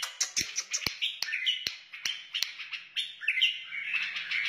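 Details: Warbling song of a wild white-eared bulbul, mixed with frequent sharp clicks, with rich slurred phrases swelling toward the end.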